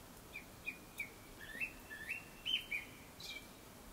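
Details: Before sunset, a Japanese thrush sings a fairly quiet series of short whistled notes, some sliding upward, in a steady, hurried run.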